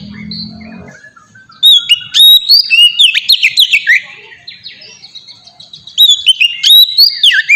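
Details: White-rumped shama singing as a lure to prompt other shamas: after a quiet, murmuring start, bright rolling whistles and twisting fluty phrases burst in, fade, then return strongly.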